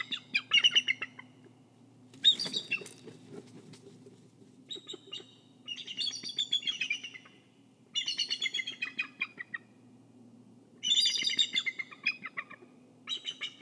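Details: Bald eagle on a nest cam in Kisatchie National Forest, guarding the egg and nest. It gives repeated series of high, thin, stuttering chirps that tumble downward, five bouts with short pauses, over a constant low electrical hum.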